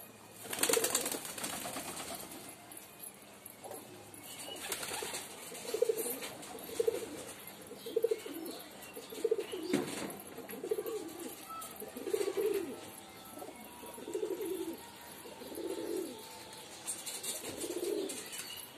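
A pigeon gives low, soft coos, repeated roughly once a second in a steady series.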